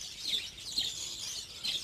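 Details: Budgerigars in a breeding colony: thin, high chirps that rise and fall, given in short bursts over steady background chatter.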